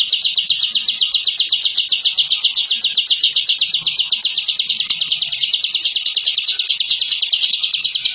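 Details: Continuous 'ngebren' song of a caged Bar-winged prinia, a contest bird that uses it to intimidate rivals: a sustained high rattling trill of evenly spaced, rapid notes, loud and unbroken from start to finish.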